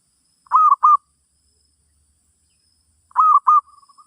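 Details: Song of a zebra dove used to teach a new bird: a quick pair of round coos, a pause of about two seconds, then another pair trailing into soft, rapid rolled notes.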